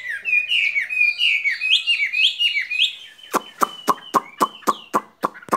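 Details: Caged skylark giving about three seconds of fluid warbling, slurred whistles. A run of sharp, evenly spaced tapping knocks follows over a thin held tone.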